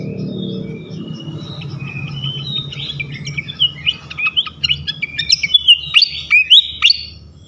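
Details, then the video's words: Flycatcher song used as a lure to provoke other flycatchers: a quick run of high, thin chirps and sharp whistled notes that grows denser and louder toward the end, over a low steady hum. "Auto Konslet gacor ngeplong sikatan manapun sekali pancing ini."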